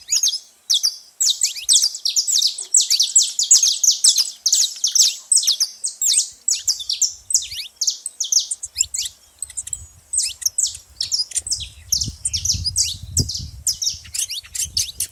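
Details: Noisy saffron finches gathered at a feeder: a dense, continuous stream of rapid, high, overlapping chirps, busiest in the first half. Soft low rumbling and thudding join toward the end.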